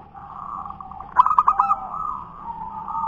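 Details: Zebra dove of local wild origin, a punden dove, giving one quick run of rolling, bubbling coos over steady softer cooing from other doves.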